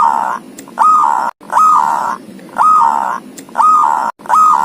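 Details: Zebra dove, a thirteen-tailed bird, giving ngoar-style song: drawn-out coos, each sliding up and then holding level, spaced about one second apart, five in all.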